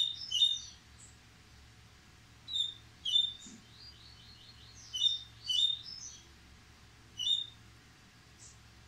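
A yellow-bellied seedeater sings short, high, twittering bursts, each repeated after a brief pause.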